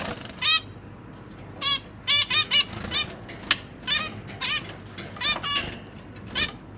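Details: Caged zebra finches in a cage with hatchlings and young birds, a time of parents busy feeding chicks: short nasal harmonic calls at irregular intervals, mostly single or paired notes, with a steady faint hum behind.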